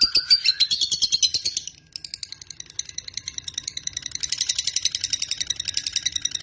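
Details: Lovebird, fighter type, offered as a lure so other lovebirds sing a long ngekek; rapid high chattering notes break off briefly, then resume as a thinner, dense buzzy trill of repeated pulses.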